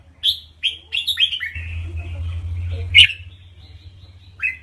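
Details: Red-whiskered bulbul, a Thai teacher bird played to excite other birds: a brief run of descending slurred chirps, a louder sharp note, then a single closing whistle, over low humming.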